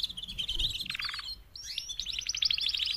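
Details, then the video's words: Four female canaries give a mating call meant to motivate males to sing: high buzzy trills and rapid repeated notes, a brief pause, then a fast rattling trill resumes. "BEST mating call 4 females canary EVER to MOTIVATE your CANARY to sing LOUDLIER"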